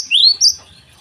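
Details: Java sparrow in the morning giving a brief pair of sharp, high rising chip notes, close and clear.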